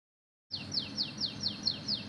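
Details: Oriental magpie-robin singing a canary-filled song: after half a second of silence, a steady series of bright, high downward-sweeping whistles, about four per second, over a low steady hum.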